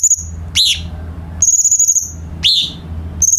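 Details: Light-vented bulbul song used as a tutor for captive songbirds: level high whistles alternate with two sharp downward-slurred notes, over a steady low hum.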